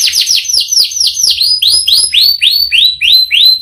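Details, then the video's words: Canary singing a rich, rolling song: a quick run of high sweeping notes that gradually slows into evenly spaced, clear upward-curving whistles, about a dozen notes in under four seconds. "Burung kenari gacor ngerol panjang"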